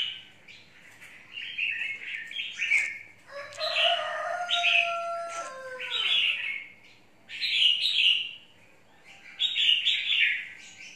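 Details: Red-whiskered bulbul giving a series of rich, bubbly warbled phrases repeated about every two seconds, while a rooster crows clearly in the background partway through.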